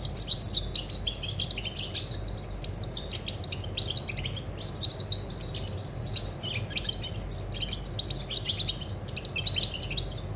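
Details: European goldfinch singing on 20 August 2020: a long unbroken stream of fast chattering, tinkling twitters and buzzy notes, lively and even in volume over faint low background noise.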